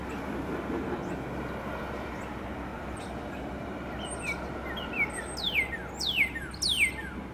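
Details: Northern cardinal singing in late morning, between 10am and noon, as spring approaches. The bird gives a series of clear, steeply down-slurred whistles repeated about every half second, over a steady low rumble of traffic.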